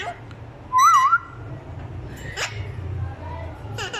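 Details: Parrot imitating a small child's voice gives a single half-second wavy whistle that dips and rises, followed by faint scratchy rustling and a low background hum.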